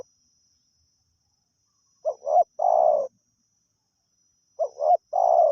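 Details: Spotted dove, wild, lured by a decoy bird: after two seconds of quiet, two phrases of a double low coo ending in a long grating croo, about two and a half seconds apart.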